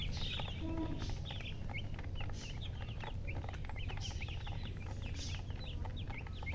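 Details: Young chickens give scattered high peeps, sparser and softer than a full chorus, single chirps spaced irregularly, over a loud low rumbling hum.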